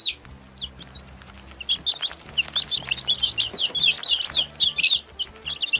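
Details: Chicks peep, scattered at first and then in a busy stretch of rapid, high, falling notes from several birds, with a faint low musical hum underneath.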